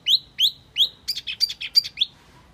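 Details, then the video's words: A mini wambi lure call: three high, rising whistled notes about every 0.4 seconds, then a quick run of six buzzy chirps and one last rising whistle. "Suara Pikat Burung Wambi Mini"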